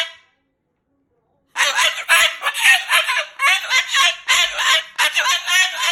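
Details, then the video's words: Moluccan cockatoo kept as a pet, angrily talking and cursing at its owner; after a short silence, loud grating squawked phrases arrive in quick, uneven bursts of several syllables. "He's talking and cursing LOUD and funny"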